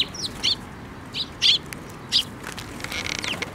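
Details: Sparrows flying in to be fed on a bridge over water at a shrine, May 2024: a few clear chirps roughly every half second to second, then a faint rustling patter near the end, over low background noise.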